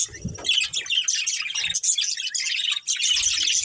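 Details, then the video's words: Breeding pair of budgerigars kept as a family, giving dense, continuous high chirping and warbling chatter with busy overlapping twitters, and a brief low thump near the start. "Cute Budgies Chirping Sounds | Love Birds Breeding Pair | Budgies Family"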